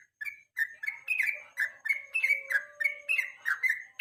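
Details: Yellow-vented bulbul's evening song for training competition birds: clear whistled slurred notes delivered in quick, uneven bursts after a short opening silence, with a faint sustained tone underneath.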